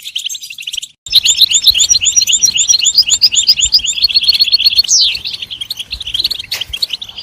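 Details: European goldfinch song bursting in after a brief silence: fast, jingling twitters and repeated high whistles, then a quick falling sweep before the twittering resumes, with soft clicks and low rustle behind.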